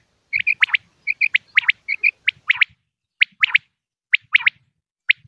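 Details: Common quail calling, a recording used by quail hunters in Pakistan as a lure: crisp high three-note phrases, a short note and then a quick double, repeated at first and then giving way to scattered single notes.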